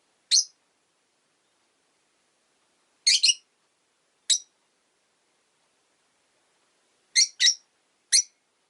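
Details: Short, shrill chirps from Rosy-faced lovebirds, five birds caged near a window during winter, come singly and in quick doubles across several seconds, with long silences between the bursts.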